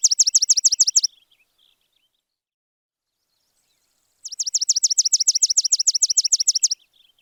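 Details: Fast runs of bright, high chirps from a sparrow, each note slurring downward. One short burst opens, then silence, then a longer run of about two and a half seconds, with faint soft calls trailing after.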